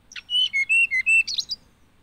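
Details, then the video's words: Hill blue flycatcher singing a brief, sweet phrase of clear whistled notes that dip and rise, ending in a quick twittering flourish. "Hill Blue Flycatcher Bird Song"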